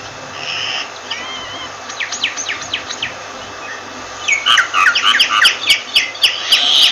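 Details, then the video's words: Myna giving a brief harsh note, then a run of thin rising and falling whistles, ending in a rapid, loud burst of sharp chattering notes repeated several times a second. "Myna Bird sound Voice"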